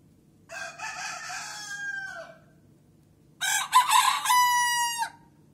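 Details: Leghorn roosters crowing: two long, harmonic-rich crows, each about two seconds, the first one falling in pitch at its end and the second one louder and held level before cutting off, with a quiet pause between them.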